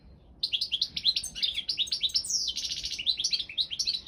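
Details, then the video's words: Goldfinch of the Balkan subspecies balcanica singing for an online world song championship from Serbia. Continuous rapid twittering with buzzy trills and a dry rattling stretch, then more bright chirps. "Pesma štiglića 002/23 World Championship in Goldfinch Song"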